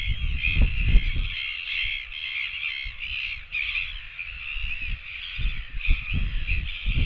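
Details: Royal albatross chicks on a nest camera, 17 September 2024, begging for food: rough, braying harmonic calls follow one another with barely a pause, wavering in pitch, while gusty low rumble sounds underneath.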